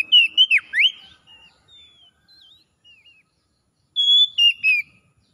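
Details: Wild ngalas singing of an Oriental magpie-robin intended to bring back song: a burst of sharp swooping whistles, quiet thin slurred notes, then a second phrase of steady clear whistles dropping in pitch.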